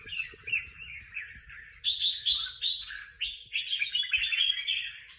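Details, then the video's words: Competition songbird from a singing contest: a busy, fast warbling stream that turns louder and sharper midway, with clipped high notes and brief ticks, against faint low noise. "Những chú chim hót đấu hay nhất và được nhiều giải nhất"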